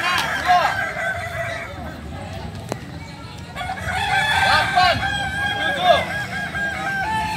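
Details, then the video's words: Kukuak balenggek cocks at a competition training session, a crow opening with a rising arc, a quieter gap, then overlapping long crows with stepped, bouncing phrases from several birds, light murmur of people behind. "Ayam kukuak balenggek"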